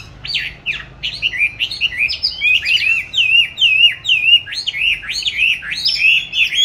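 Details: Song of a caged oriental magpie-robin raised since 29 July 2020, recorded 22 March 2021 while hung in an ideal training spot; a continuous run of rapid, looping whistled notes, wavering up and down without pause.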